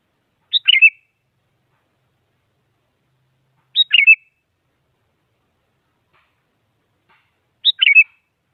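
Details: Sooty-headed bulbul giving three short identical chirpy phrases at slow, irregular spacing of about three seconds, each a tight burst of notes with a slurred ending, used to goad a silent rival into song.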